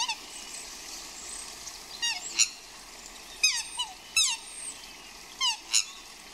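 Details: Swans outdoors in the rain during courtship, calling loudly: harsh squealing and honking bursts with falling tones, several calls spaced over seconds, against a steady hiss of rain.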